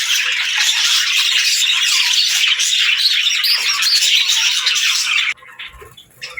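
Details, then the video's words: Parakeets and lovebirds chirp energetically in the morning, a thick rapid twitter of high notes and squawks that suddenly drops to near quiet for the final second. "Parakeet Morning Routine 🌞🦜 | Lovebirds Sounds for Lonely Birds 💛🐥"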